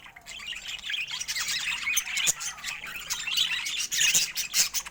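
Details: A steady stream of budgerigar chatter, with buzzy high squawks and twittering chirps running almost without pause and swelling slightly louder toward the end.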